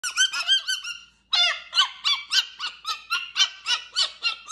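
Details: Pet cockatoo calling indoors: a quick series of harsh, harmonic squawks at about three to four per second, broken by one short pause, each note dipping slightly in pitch.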